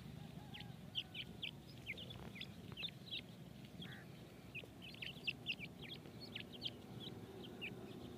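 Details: Grey francolin (teetar) chicks feeding, producing a steady scatter of sharp, high-pitched cheeps from several birds at once. The calls come quickly and unevenly over a low, rumbling background noise.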